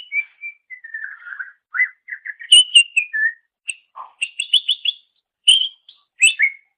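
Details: Cucak ijo, or greater green leafbird, singing on a master track for songbird training: sliding whistles, buzzy notes, a low burry call, then rapid repeated high chirps.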